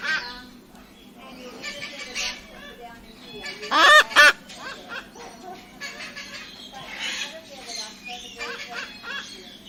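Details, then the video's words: Cockatoo letting out a quick pair of harsh, loud squawks midway, surrounded by quieter murmuring chatter and scattered squeaks from other birds. "Cockatoo Sound (parrot species) | Cockatoo singing Sounds"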